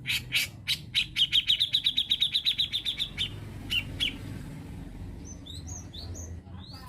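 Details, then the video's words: Grey-cheeked bulbul tutor bird used to lure other birds into song, with a long accelerating chatter of harsh buzzy notes, about four per second at first and then faster. Scattered rasps follow, then soft high twittering from other birds. "PANCINGAN HEBAT BURUNG MASTERAN CUCAKJENGGOT"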